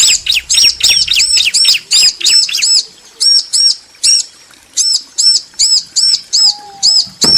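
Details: Bar-winged prinia pair answering each other. Quick arched high notes pour out at first, then slow to an even series of paired chirps about every third of a second.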